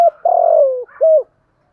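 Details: Spotted dove coo meant to spur other doves into answering: a short clipped note, a long soft downward-sliding coo, then a brief rounded final note, all low and mellow.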